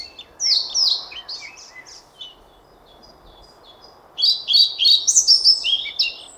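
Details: European pied flycatcher giving two song phrases: a loud run of high sweeping whistles that fades into softer notes, a pause, then a second bright phrase of quick, rising and falling whistled notes.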